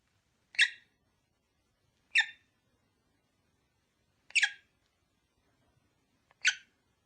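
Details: Pet lovebird pair kept for breeding, calling: four harsh high single chirps about every two seconds over faint low background rustle.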